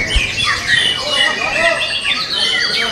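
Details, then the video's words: Young forest-caught White-rumped shama, kept caged, singing a dense run of varied whistles, slurred rising and falling notes and short trills; some faint voices underneath. "Murai batu Muda hutan, materinya sealam raya"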